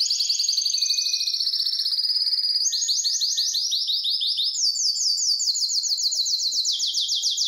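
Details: Aroused canary seeking to mate sings without pause: a fine rapid trill, then louder rising swoops repeated several per second, moving to a higher pitch and back down.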